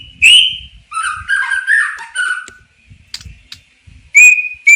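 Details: Oriental magpie-robin song with a loud rising whistle, a jumble of warbled notes, scattered clicks, and two clear ringing whistles near the end.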